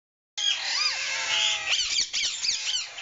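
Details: Rose-ringed parakeets, a captive breeder pair with chicks: harsh, squeaky, rasping calls overlapping almost continuously, with arching downslurred notes and bursts of sharper squawks.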